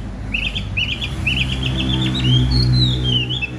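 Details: Large caged Chinese hwamei, kept for fighting display, gives a quick chattering run of whistled notes that climbs into longer sweeping whistles, over a low steady hum.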